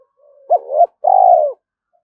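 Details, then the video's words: Spotted dove giving a trap-luring call meant to draw a whole flock of wild doves: a short rising note, a wavering coo, a pause, then one long, steady, slightly falling coo. The background is silent. "Chim cu gáy gáy thúc & gáy gọi bổi rừng nghe về cả bầy"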